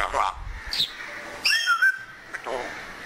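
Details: Pet African grey parrot talking while enjoying the weather, with a few speech-like syllables and a clear wavering whistled phrase in the middle.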